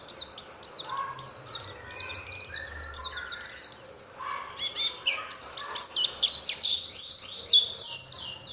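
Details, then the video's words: Oriental white-eye lure call to set other white-eyes singing: a fast run of very high, steeply falling chirps, then busier mixed twittering with some lower warbled notes. "pancingan suara untuk pleci agar mau kluar isian"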